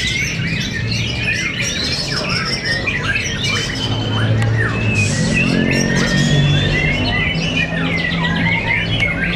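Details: White-rumped shama (murai batu) fighters in a fierce song battle between birds: dense, rapid whistled and chattering phrases pour out continuously over a steady low hum.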